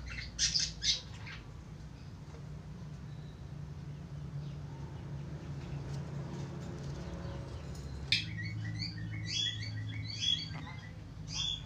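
Australian finch giving a short burst of high, squeaky chirps, then a longer run of busy, nasal twittering after a quiet pause, over a steady low hum.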